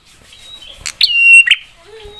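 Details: Prinia song used to get other prinias calling back: brief soft notes, then one loud phrase of a sharp chip, a sustained high whistle and a harsh buzzy finish, ending in a faint low slur.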